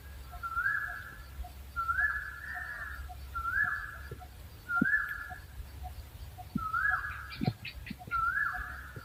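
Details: Owl uttering six whistled notes that rise sharply and then level off, repeated at uneven intervals, with faint clicks and ticks near the end.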